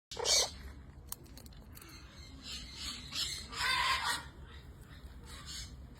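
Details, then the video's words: A Military macaw, called a green macaw, gives two harsh, raspy squawks about three seconds apart over a low background hum. The first squawk is short, the second longer and grating. "Green Macaw"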